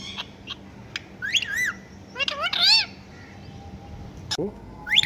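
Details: Pet talking parrot saying meow meow like a cat: bending, whistled, harmonic syllables rising and falling, in short bursts with pauses and a sharp click near the end, over a low steady hum.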